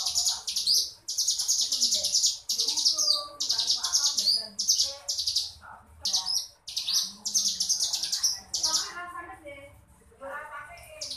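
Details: Ngebrem song from a crescent-chested warbler, sharp buzzing high bursts repeated in quick succession, fading near the end into softer warbled notes before resuming.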